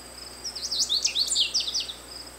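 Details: Quick, lively American goldfinch song of high chattering twitters and zigzag slurred notes lasting about a second and a half, with a thin continuous insect buzz behind.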